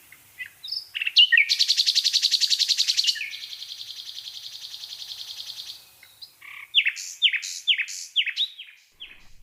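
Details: Nightingale song in the countryside, sent in by a listener: a few brief notes lead into a loud, rattling buzzy trill that softens into a long hum. A run of separate descending slurred notes follows.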